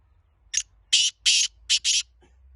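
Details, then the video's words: Kala teetar, the black francolin, said to be of pure Laka antique breed: five grating, scratchy bursts in quick sequence, one short note followed by two paired notes, with a faint click afterwards and quiet hum beneath. "Pure Laka Kala Teetar Antiq Breed black francolin voice کالا تیتر"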